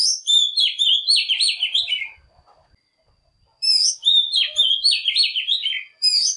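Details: Oriental magpie-robin decoy singing to lure wild birds and prompt other birds to sing in the morning: bright varied whistled phrases with trills lasting about two seconds, a silent pause, then the phrase again.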